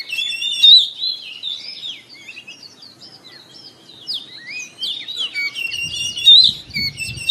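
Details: Kept white-rumped shama singing in the morning, played as therapy to spur other caged birds to sing; a busy run of high whistled notes, slurs and quick chirps flows without pause, with faint low rustling near the end.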